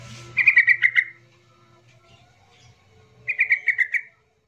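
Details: Yellow-vented bulbul song to trigger quiet birds into song: a pair of short gurgling phrases of six or seven quick bubbly notes each, separated by about two seconds of near silence.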